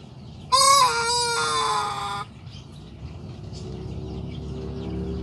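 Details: A Sanjak cockerel at the start of its crowing life gives one strong, rough-edged crow of nearly two seconds. A short rising first note runs into a long steady tone that sags slightly to the end, followed by a low steady hum.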